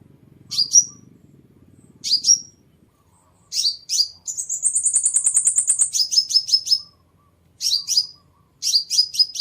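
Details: Sunbird song, played to attract birds: clusters of high, piercing notes separated by short pauses, broken midway by a rapid, steady trill of thin chips lasting nearly two seconds.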